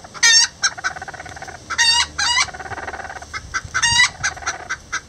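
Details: Rare Lavender Bantam chickens, miniature roosters with a hen, building a nest together: loud harmonic squawking calls near the start, middle and end, with soft low clucks murmuring between them.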